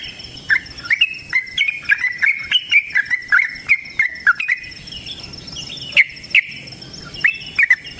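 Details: Sooty-headed bulbul (trucukan) giving its lively long-running 'ropel panjang' fighting song. Liquid whistled notes, rising and falling, follow in quick succession for about four seconds, then pause before a few more scattered phrases.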